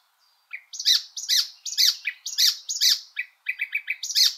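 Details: Icterine Warbler repeating a loud, harsh, chattering note about twice a second, then a quicker string of shorter clipped notes near the end.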